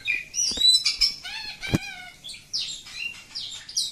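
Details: Village-type oriental magpie-robin in continuous ngacor song: clear whistled notes, a stack of rising warbles, and scratchy high phrases, interrupted by one loud sharp click.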